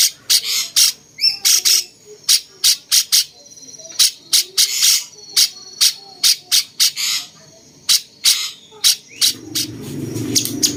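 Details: Bulbul of the cucak cungkok type, used as a master voice for songbirds: a long stream of crisp, scratchy chips and short bursts. Near the end a low rumbling background sound rises.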